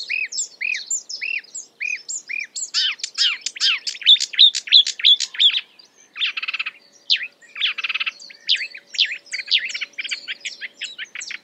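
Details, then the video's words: Marsh warbler imitating other species, opening with five evenly spaced arching whistles, then a rushing jumble of chirps, two dry rattling trills, and more scratchy twittering. "A marsh warbler (Acrocephalus palustris) imitating other birds"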